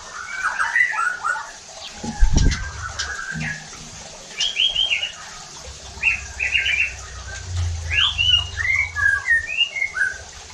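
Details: White-rumped shama song used to incite other shamas to sing: varied whistled and chattering phrases in bursts, with one dull low thump early on and a low hum in the background.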